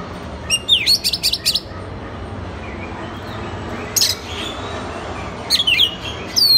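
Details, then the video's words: Oriental magpie-robin singing as a master recording used to train other magpie-robins: short bright whistled phrases sliding down and up, in bursts separated by long pauses, over a steady low background hiss. "isian master kacer. suara kacer"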